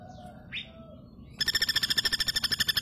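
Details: After a quiet start with a faint rising chirp, a female common flameback breaks into a fast, loud, harsh rattle of evenly repeated notes.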